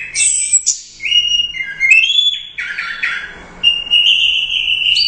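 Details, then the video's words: Royal Cup winning orange-headed thrush in full teler doyong song, mixing sharp high notes with sustained, wavering whistles and buzzy slurred phrases, almost without pause, over a faint low hum. "Suara Burung Anis Merah | GACOR Teler Doyong Juara I Royal Cup"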